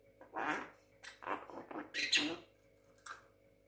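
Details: Young Javan myna, six months old, imitating speech: a string of harsh, hoarse, voice-like syllables in uneven bursts, ending in a short, higher rasping note after a pause, inside a quiet room.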